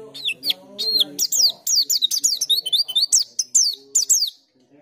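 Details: An Oriental white-eye sings to provoke replies from other white-eyes. It gives a dense burst of high, sharp, falling chirps in quick succession, then the song stops near the end. Faint lower sounds lie beneath.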